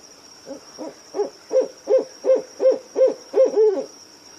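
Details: Nighttime owl hoots: about ten quick, mid-pitched notes that start soft and grow louder, spaced under half a second apart, ending in a drawn-out doubled hoot, with a steady faint high tone in the background.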